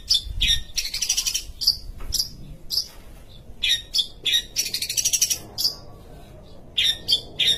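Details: Sumatran long-tailed shrike in lively song: varied sharp chirps, whistled notes and harsh trilled bursts come in quick separate phrases against a quiet background.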